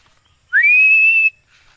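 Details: A single piercing whistle from a Philippine eagle, rising sharply at the start and then held steady and high for under a second before stopping abruptly; near silence around it.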